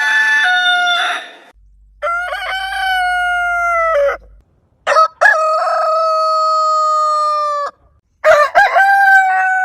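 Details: Heritage-breed roosters crowing in a compilation: three separate long crows, each a harsh rise then a steady sustained note, divided by silent cuts, with a final crow beginning at the end.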